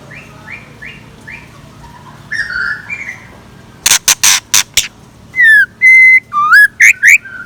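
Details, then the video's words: Scarlet minivet kept as a decoy, singing in the morning: soft repeated notes, then a burst of sharp clicks, then loud pure whistles, some falling, some level, some wavering, in a quick series. "Tiếng Chim Chèo Lửa Mồi Hót Sáng"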